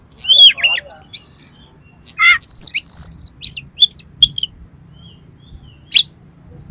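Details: Harsh-phrased oriental magpie-robin song meant to provoke another magpie-robin; quick slurred whistles and buzzy notes in a busy first half, then sparse sharp chirps.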